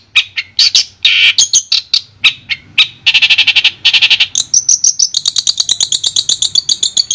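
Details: Long-tailed shrike song used as therapy for a shrike that has stopped singing: harsh grating bursts and rattles, then a long run of rapid, evenly repeated high chips.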